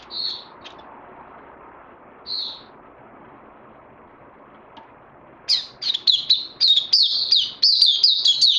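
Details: Oriental white-eye kept in captivity, 31 May 2020. Two isolated soft buzzy notes with long gaps, then after about five seconds a burst of quick, sharp, high-pitched chirping notes.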